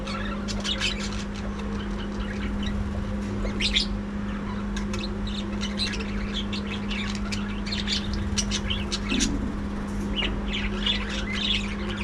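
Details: Budgerigar flock in a breeding colony setup: rapid clusters of scratchy squawks and thin chirps overlapping from many birds, with a persistent low droning hum in the background.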